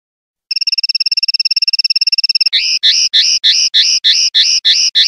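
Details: Common linnet in clean song (pardillo limpio), 2021/2022: a long, fast, even rattle of tiny pulses, then bright, hooked notes repeated about three to four times a second.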